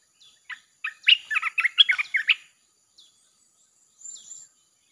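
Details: Song of a red-whiskered bulbul used as a lure for wild birds: a fast chattering phrase of varied whistled chirps lasting about two seconds, followed by a soft single note and a faint distant high call.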